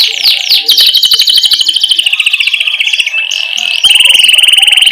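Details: Canary in vigorous 'gacor' rolling song intended as a lure for young canaries: quick descending chirps blending into a dense continuous trill, shifting to a louder, very fast pulsed roll at the end.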